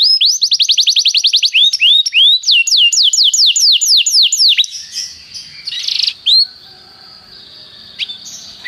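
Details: Canary teacher song used for song training: rapid rolling trills of swept whistled notes for about five seconds, then a quieter stretch with a few single chirps and faint background noise.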